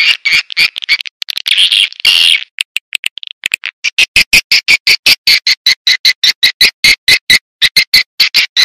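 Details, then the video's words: Lure call of swiftlets: a few seconds of noisy, buzzy chatter, then a steady run of short, clipped high chirps repeated several times a second. "Suara Tarik Burung Walet"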